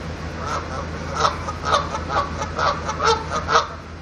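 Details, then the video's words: Geese perched on a van give a quick, steady series of nasal honks, roughly two per second for four seconds, over a droning low background rumble. "Geese honking on my van"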